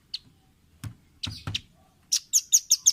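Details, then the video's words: Velvet-fronted nuthatch, a tutor recording for caged birds to learn from: scattered sharp high chips, then a quick run of five bright, piercing notes near the end, with a few soft low thumps. "Masteran Ampuh burung rambatan paruh merah/masteran audio rambatan jernih mudah di tiru"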